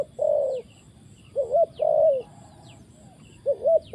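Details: Spotted dove used in trapping, calling: soft low coos in phrases of a short note followed by a longer drawn-out hoot, repeated several times, with faint high chirps from other birds behind.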